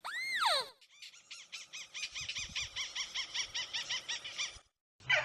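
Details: Crake lure call with some noise: an arched, whistled squeal, then a rapid, evenly pulsed run of bouncing notes lasting about four seconds, and a harsh call after a short pause.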